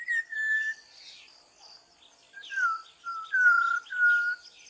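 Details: Malabar whistling thrush singing at dawn in forest in India: clear, human-like whistled phrases, several long level or gently falling notes separated by short pauses, with faint high twittering of other birds behind.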